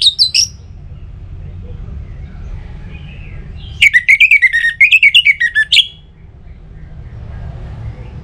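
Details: Orange-headed thrush singing, intended as a lure to get other birds singing, northern Bali: a brief opening phrase, then a two-second run of quick pulsed whistles dipping and rising, with low background rumble between phrases.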